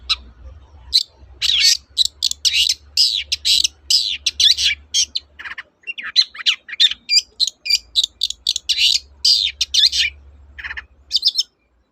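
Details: Vigorous 'toet-toet' song of a long-tailed shrike, meant to stir silent shrikes back into song: a fast, varied chatter of scratchy, buzzy and whistled notes running for about eleven seconds, with a low hum underneath.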